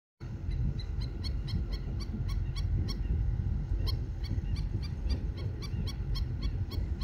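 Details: Hawaiian stilt, or aeʻo, an endangered Hawaiian subspecies of black-necked stilt, on Maui, recorded February 9, 2024: sharp short yapping notes repeated rapidly and steadily throughout, over a loud low rumble of wind or surf.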